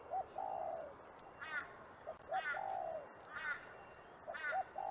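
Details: Spot-winged pigeon calling: short rising notes followed by a longer low, drawn-out note falling at the end, repeated; a louder harsher cawing bird calls in between with buzzy, banded notes.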